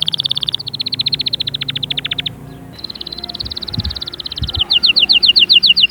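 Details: Canary singing, meant to push young birds to sing and ready the hens: quick pulsing trills, a brief pause, then a sustained rolling tour and a bright series of clipped, evenly spaced notes, with faint low thumps.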